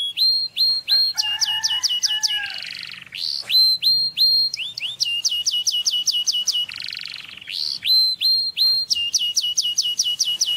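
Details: Canary singing, a tweet played to teach another bird: long tours of rapidly repeated sharp, ringing notes, about six per second, broken by brief buzzy rolls and rising whistles, loud and continuous throughout.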